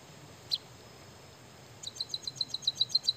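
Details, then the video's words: White-headed munia singing energetically with canary-learned notes: one isolated high chip, a quiet gap, then a quick regular series of bright, sharp high ticks, several per second. "burung emprit kaji gacor isian suara kenari"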